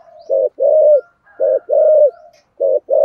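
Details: Thúc gù cooing by a spotted dove with a thổ sấm voice: brief hollow notes each followed by a longer steady coo, three pairs in quick succession.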